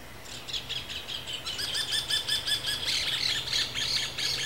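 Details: Rufous hornero during the breeding season: a rapid series of loud, ringing chip notes repeated about two or three per second, rising in intensity, over a faint low hum.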